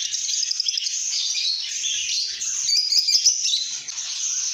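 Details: Happy lovebirds chirping: a dense, high twittering chorus with brief bright whistled notes near three seconds. A few quick clicks sound in the middle.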